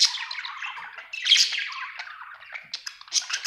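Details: A contented budgie pours out rapid, raspy chatter. Squawky warbled notes run together without pause, with a louder squeaky outburst in the middle and quick sharp chirps at the end.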